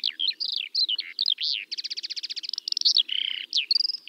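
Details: Skylark song over open country in spring: varied high chirps, then a rapid rattle of repeated notes and a short buzzy phrase, all delivered in one fast continuous flow.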